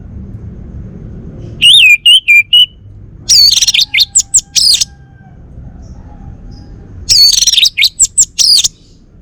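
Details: Male orange-headed thrush, Bali, delivering loud song bursts: looping whistled notes followed by quick clusters of sharp high chirps, repeated after silent gaps.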